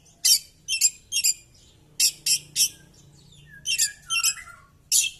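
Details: Oriental magpie-robin fighting with its tail spread, giving clusters of sharp, emphatic chirps in twos and threes, with a soft descending whistle in the middle and a faint low hum in the background.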